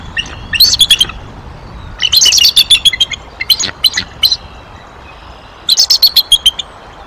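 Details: Bald eagles at their Decorah nest in mid-April 2023, cold weather, chick present, calling around prey deliveries and an immature intruder: bursts of high, thin chattering chirps in quick runs, three separate flurries with short pauses between.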